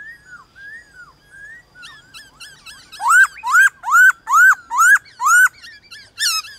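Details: White-cheeked laughingthrush in a morning song contest with wild birds: soft arched whistles build into a loud series of rising-falling whistled notes repeated about every half second.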